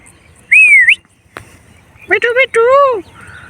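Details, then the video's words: A male parrot gives a clear wavering whistle, then a short pause and several speech-like syllables ending in a drawn-out, falling talking note. "Cute Parrot Talking"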